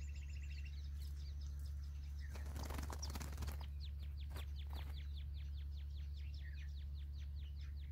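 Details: Jungle bush quail, recorded during trapping that uses quail calls as a lure, give a fast run of thin, high, downslurred whistles, about three a second, after a burst of wing-flapping, over a steady low hum.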